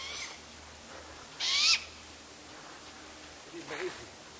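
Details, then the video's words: A juvenile great gray owl calls out to its parents with one harsh, hissing screech about a third of a second long; a fainter answering screech from a sibling follows two seconds later. "Great Gray Owl (Juvenile)"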